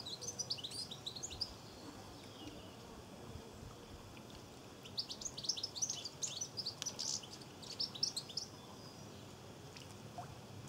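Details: European goldfinch song in Cornwall: bright, tinkling twitters and liquid trills in quick bursts, with a steady hiss behind.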